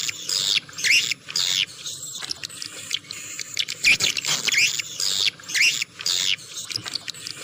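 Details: Swiftlet lure sound made of harsh, scratchy twittering bursts, each under half a second, coming in irregular clusters with short pauses between them.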